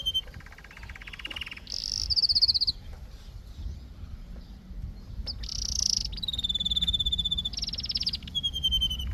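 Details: Canary singing: separate phrases of rapid buzzy trills and rolls, a low rattling tour first, then higher bright trills and a long sustained whistle near the end, with quiet low background hum.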